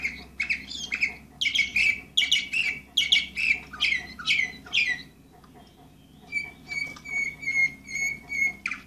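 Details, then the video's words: Orpheus canary, number 24, 2014, delivering loud rapid buzzy chattering phrases, a brief pause, then a series of level clear whistles repeated at a steady pace with a faint low hum behind. "canary orpheus 2014 number 24"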